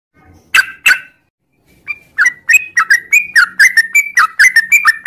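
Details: A sooty-headed bulbul's long morning ngropel song opens with two harsh bursts and a brief pause, then becomes a quickening string of bubbly whistled notes, each swooping down and back up.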